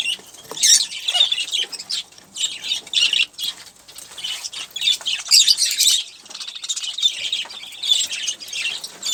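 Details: Olive-throated parakeet, while eating sunflower seeds and drinking water, gives harsh, scratchy screeches and chatter in overlapping bursts every second or so, high-pitched and continuous, seemingly several birds calling together.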